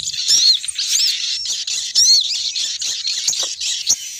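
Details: Lure call of a female sogon bird, meant to bring males flocking down. A continuous stream of high, squeaky, overlapping chirps is broken by sharp clicking taps.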